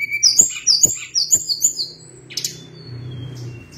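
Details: Sunda blue robin singing a fast series of high, bright whistled notes in repeated short phrases, each dropping slightly. Then a quieter stretch with a buzzy burst and a steady low hum behind.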